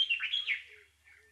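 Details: Bulbul chirping in a short burst of bright, slurred warbled notes that rise and fall, loud at first and then trailing off into softer chirps, with a faint low hum underneath.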